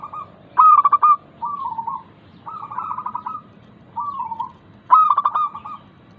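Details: Zebra dove song played as a lure for lazy caged doves: a loud pulsed coo phrase, two softer rolling phrases, then another loud stuttering phrase, evenly spaced.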